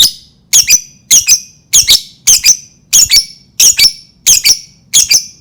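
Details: Lovebird sound for prompting other lovebirds to sing: harsh, shrill double-note screeches repeated in a steady rhythm roughly every half second.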